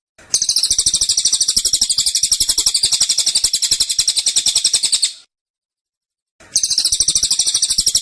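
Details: A caged cililin pours out a long dense tembakan of high, rapidly repeated notes, pauses about a second, then starts another insistent burst.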